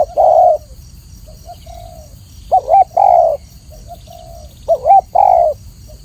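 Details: Spotted dove, locally tekukur, recorded for training cage birds, singing clearly: a long low coo, a pause with soft quiet notes, then twice a bent double coo followed by a sustained coo, with faint hiss.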